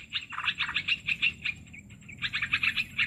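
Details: Olive-winged bulbul lure sound for bird trapping: rapid scratchy chatter, slightly lower-pitched notes at first, a short quieter gap, then another quick burst.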